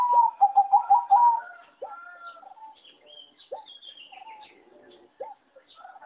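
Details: Competition-bred singing zebra dove from a farm, described as a poor singer with a bad melody: a fast string of staccato cooing notes for over a second, then softer coos, chirps and a high thin whistle behind.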